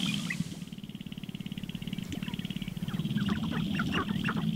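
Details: Sharp-tailed grouse at a morning lek, a female visiting as males display intensely to court her; a low, rapid rattling drums steadily while scattered short clucking and cackling notes rise over it, with a faint steady high hiss throughout.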